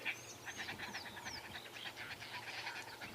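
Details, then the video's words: Arrow-marked Babblers on a morning safari drive near a cleared firebreak in the bush, a group making their raucous racket: nasal, rapidly repeated chattering chorus, with thin whistled slurs from another bird above. "And you've got some arrow-marked babblers babbling away."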